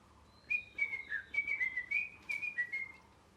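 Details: Pet parrot, molting, producing a chattering run of short whistled notes, rising and falling, about a dozen in three seconds against a low hum.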